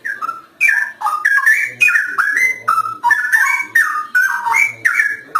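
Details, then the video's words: Loud gacor singing of a straw-headed bulbul (cucak rowo): fluid, liquid whistles that tumble in rapid slurred phrases, repeated steadily about twice a second over a clean, quiet background. "Suara Burung | Cucak Rowo Gacor"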